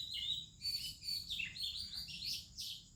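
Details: Morning song of an Oriental magpie-robin in India, other birds singing too: quick bursts of bright whistled notes, some rising and falling, packed closely over a steady high background hiss.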